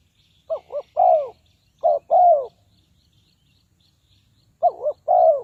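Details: Spotted dove calling as a decoy for trapping wild doves: two quick short coos followed by a longer falling coo, repeated twice with a pause, over a faint high chirping background.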